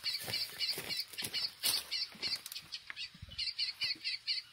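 Chestnut-bellied seed finch singing a fast series of high, clear notes, about three or four each second, over faint rustling and clicking.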